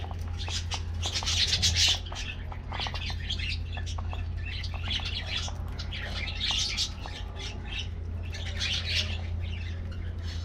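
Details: Budgie colony kept in an aviary, chattering during a morning diet treat: dense clusters of high chirps and buzzy warbling in waves, with a low mechanical hum throughout.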